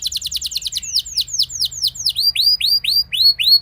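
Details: Canary singing as a lure for other canaries: a quick run of rapid notes, then a string of loud, separate sweeping whistles, the first falling and the later ones curving upward, about three each second.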